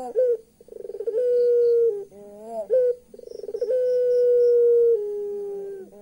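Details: Puter pelung turtle dove giving its laughing call, described as eerie: a rapid rolling burst of pulses runs into a long, steady, hollow coo. The pattern comes twice, with short, bent, nasal notes between.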